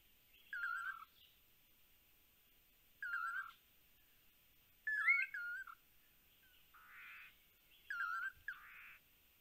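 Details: Lance-tailed manakins in Panama give short, slurred whistled phrases every two to three seconds, mixed with a few hoarse, buzzy notes, over a faint steady insect hiss.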